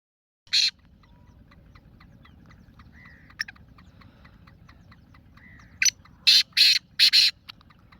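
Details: Black francolin calling on 28 February 2026: a single harsh note, then after a long pause a grating phrase of one short note followed by four loud, rasping bursts. Faint ticking sounds run through the quiet background.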